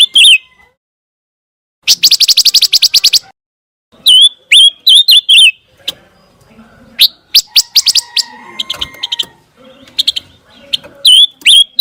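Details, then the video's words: Scarlet minivet for tutoring contest white-rumped shamas: a rapid, rattling chatter of fast repeated notes, then series of bright looping whistles, with softer chips and scratchy sounds between phrases. "PANCINGAN SUARA BURUNG PANCAWARNA"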